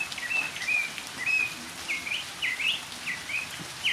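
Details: Northern mockingbird singing in the rain, mixing drawn-out whistled slurs with quick up-and-down swept notes, phrases varied and rapid, over a light patter of rain.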